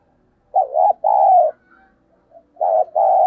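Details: Spotted dove calling, used as a lure for wild doves: two loud, clean phrases, each a wavering short coo then a drawn-out smooth one, separated by a second of near-silence with a faint low note.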